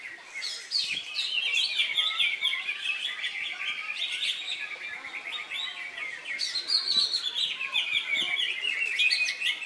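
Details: Cucak hijau singing at a songbird contest in Indonesia on Saturday 3 September, newly out of molt and winning two rounds; dense, loud continuous warbling of rapid chirps and high trills, surging louder after six seconds.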